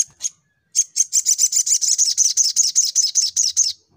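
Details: Sunbird in fighting mode, singing a rapid string of high, thin, buzzy chattering notes, about fifteen in three seconds, after two brief opening chips and a short pause.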